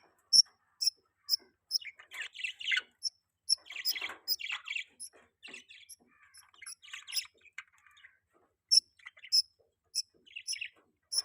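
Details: Pet budgerigars in mating season chirping: sharp, very high clicking chirps repeat steadily, about two per second, over a busy, scratchy mid-pitched warbling chatter that rises and falls in bursts.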